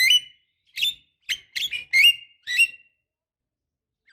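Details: Javan myna female calling for a male, played as a lure: rasping, nasal notes with bright overtones, given singly and in pairs at irregular intervals over about three seconds.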